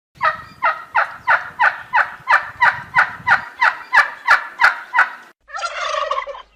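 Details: Fourteen evenly spaced sharp notes, about three each second, over a faint low rumble, followed by a single rolling, rattly gobble from a turkey.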